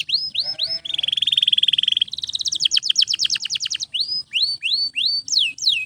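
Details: Canary singing nonstop for training: hooked rising whistles, a smooth fast-pulsed roll, a choppy trill, then spaced upswept notes about four per second.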